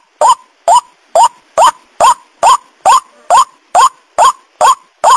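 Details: Lure recording of a white-breasted waterhen used to draw birds in: a monotonous series of twelve harsh, upslurred kwak notes at an even pace of a little over two per second, with nothing else audible.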